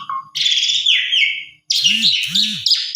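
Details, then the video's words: Short burst of Asian pied starling song from a morning lure meant to provoke replies: a long rough buzzy phrase sliding downward, a brief gap, then loud harsh chatter with two low hooting notes beneath. "Pancingan Burung Gagah Tampan Jalak Suren Manapun Pasti Nyaut Langsung Gacorrr"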